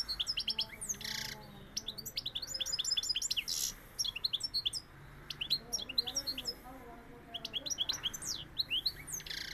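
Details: European goldfinch from Seville singing a rapid, tinkling, twittering song of high chirps and trills in quick bursts, with short pauses and some broadband clicks and rustles between phrases.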